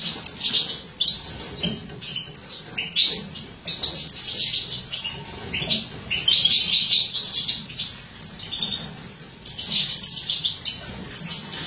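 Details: Captive mutant European goldfinch female feeding; busy sequence of sharp high chirps and tinkling trills, grouped in dense bursts with softer clicks between.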